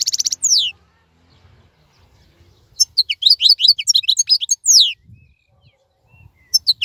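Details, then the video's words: European goldfinch, wild 'khalawi' type, keeping its song while other birds are silent and moulting; a nasal buzzy note opens, then two seconds of rapid, sweet twittering phrases follow. "تغريد افضل من كل تغاريد طائر الحسون الخلوي"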